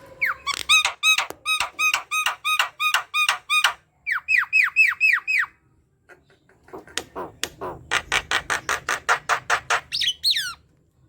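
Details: Javan myna in lively chattering song, played to prompt quiet mynas into singing: rapid runs of repeated ringing notes, a brief gap, then a fast buzzy series ending in a rising squeal.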